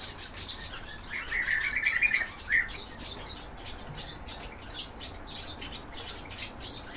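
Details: Hybrid of goldfinch and canary singing high twittering notes throughout, broken by a loud, fast rolling trill about a second long near the start; low hum beneath.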